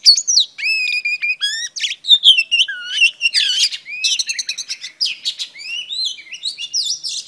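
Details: Singing female Oriental Magpie Robin, her song meant to stimulate males: clear downward-sliding whistles open a fast medley of chirps, rattling buzzes and piping notes in a long, varied run.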